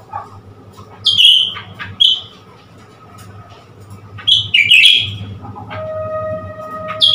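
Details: Blue-winged leafbird, a newly acquired bird encouraged to play with a mirror, 10 February 2021: scattered bright piercing whistled notes and quick downslurs, separated by pauses, with a low steady hum and a sustained tonal drone near the end.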